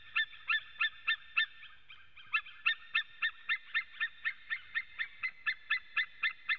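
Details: At a Latvian nest webcam on 23 September 2017 at 14:12, a male white-tailed eagle calls, with another male also present, giving a long series of sharp, goose-like yelps, about four a second, with a brief pause partway.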